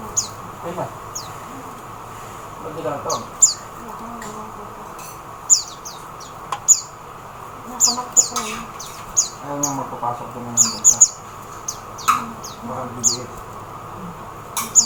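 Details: Oriental white-eye in the Philippines, a busy run of sharp, high, falling chirps, sometimes paired in quick doublets, with faint lower sounds in the background.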